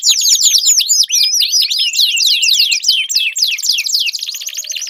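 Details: Canary singing in a long unbroken stream, offered as a lure for a mute canary: rapid series of high downward-slurred whistles, some doubled, running into a softer fast rattle.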